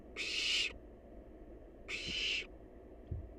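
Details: A wild young barn owl, busy eating leftover prey, utters two long rasping hisses about 0.6 seconds each, separated by a pause of over a second. Faint low knocks are heard between them.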